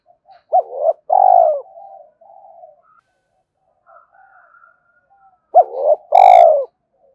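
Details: Spotted dove cooing to lure and train decoys: a rising double note and long coo, soft trailing murmurs and faint quiet notes in the gap, then the same double-note-and-long-coo phrase repeated near the end.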